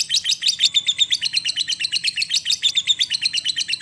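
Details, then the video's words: Lovebird producing a continuous ngekek, a fast, shrill, chattering rattle of pulsed notes repeated roughly seven times a second without pause, played to stimulate silent lovebirds to sing. "pancingan Lovebird ngetik sambung ngekek panjang jadikan Lovebird macet jadi gacor"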